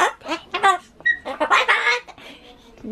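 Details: Pet Ducorps's cockatoo chattering indoors, trying to say bye-bye and looping the same phrases: a run of harsh, harmonic, speech-like syllables in quick bursts, with a brief clear whistled note near the middle.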